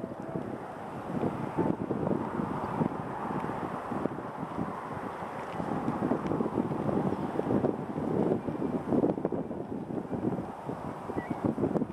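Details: Steady, gusting wind buffets the microphone throughout, with no clear animal calls standing out.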